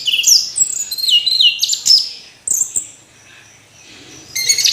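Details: Orange-headed thrush in a fast, continuous run of clear whistles, downslurred notes and sharp chips, then a brief quiet gap before a harsh, scratchy burst at the end.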